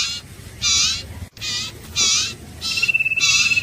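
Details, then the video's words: Iora, known locally as Huýt Cô or Chim Nghệ, giving harsh, buzzy, broadband notes about once a second, with a thin, level whistled trill beginning near the end. "Tiếng chim Huýt Cô(Chim Nghệ) | The sound of birds Aegithinidae"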